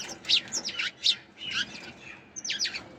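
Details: Several sparrows chirp in short, high, squeaky bursts, a cluster of quick notes, then a brief lull before another run of chirps.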